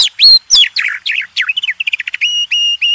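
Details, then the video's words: Contest-bird master recording of a White-rumped shama: varied swooping whistles give way to a quick chattering trill, then steady level whistled notes repeated about twice a second. "MASTERAN SUPER MEWAH‼️JUARA KONTES.NO1"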